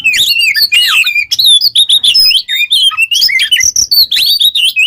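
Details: Kept Oriental magpie-robin in full, lively song meant as tutor material for other cage birds; quick sequence of clear whistles, slurred upward and downward notes and short chirps, separated by brief gaps.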